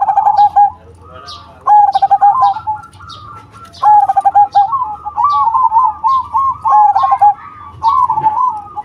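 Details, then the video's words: Loud-voiced zebra dove of the cemani variety giving repeated rolling, stuttering coo phrases with brief breaks, while faint high-pitched chirps of other small birds tick in the background. "Perkutut Cemani Gacor Suara BESAR"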